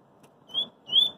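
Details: Two clear, slightly rising whistled notes from a double-collared seedeater singing in the street, over a soft low background murmur.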